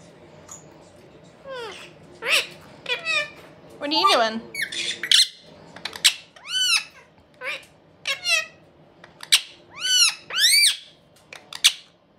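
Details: Indian ringneck parakeet brothers chatting away inside a room, a steady run of sharp arched squawks and chirps repeated roughly every half second, some rising and falling, over a low hum.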